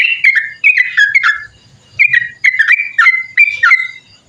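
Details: Long 'ropel panjang' song of a sooty-headed bulbul, meant as tutoring and lure material for other birds. Two runs of rapid, liquid, downslurred whistles, separated by a short gap, over a faint low rumble.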